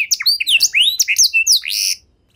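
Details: A pet canary sings long, ornate song used to prompt silent canaries to sing: a fast, varied burst of bright whistled sweeps and chirps, tightly packed for about two seconds, then stopping abruptly.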